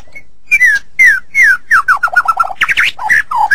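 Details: Singing white-rumped shama from a masteran recording, giving slow downslurred whistles, then a quick jumble of short bouncing notes and a few high sharp phrases.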